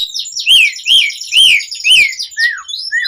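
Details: Asian pied starling song used as a lure for captive birds: repeated loud arching whistled notes about every half second over a constant raspy chatter, ending with softer descending slurs.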